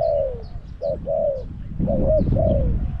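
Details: Caged decoy Spotted dove calling to lure wild doves at Song Phi Nong. Three or four soft, slurred coos fall gently in pitch, spaced quickly over a few seconds. Faint higher chirps and low rumble sit behind them.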